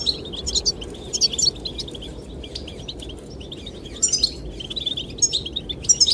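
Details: Goldfinch singing meant to attract the female: bursts of bright twittering separated by a quieter stretch, then a renewed run of tinkling chirps, all over steady wind.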